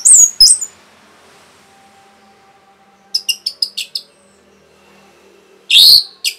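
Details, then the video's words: Rapid provoking song of an orange-headed thrush: loud high whistles at the start, a quick series of six short chirps midway, then a strong buzzy whistled burst near the end, with a faint hum between. "SUARA RAPET ANIS MERAH BIKIN EMOSI BURUNG"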